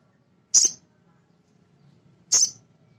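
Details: Male sogon, a nectar-feeding bird, calling to provoke other sogon: two strong, very high, slightly buzzy chips nearly two seconds apart, with a soft low hum beneath.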